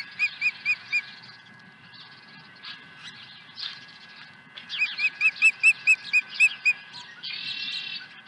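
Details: Osprey at its nest at Dunrovin Ranch on 23 April 2020, swooping in with a second fish: two bursts of high, whistled chirps in quick, loosely spaced series, the later run louder and longer, over a low steady hum.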